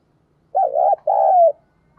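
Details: Captive lure spotted dove, calling to attract wild doves, gives a single mellow two-part coo: a wavering hoot, then a long smooth note that slowly falls away.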